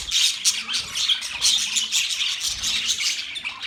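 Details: Budgerigar chirping, busy and unbroken: overlapping bright twitters and scratchy squawks surge in bursts about every half second, as from a group of birds chattering together.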